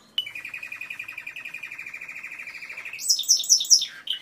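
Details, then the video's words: Timbrado canary singing: a long, fast, even trill of rapid pulses held near one pitch for nearly three seconds, then brighter, higher repeated notes in quick sequence, ending with a sweeping lower phrase. Quiet background. "تسجيل طائر كناري تمبرادو"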